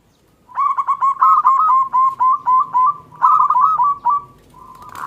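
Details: Zebra dove of a local Indonesian strain giving its small KLUNG song, played to lure reluctant doves into singing. A long, steady string of bell-like coos, several per second, ending in a drawn-out trill.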